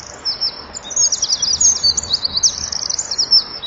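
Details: A Eurasian wren's January evening song in failing light, delivered with fluttering wings before a nest-wall camera; an unbroken, very high-pitched torrent of fast trills and twittering notes.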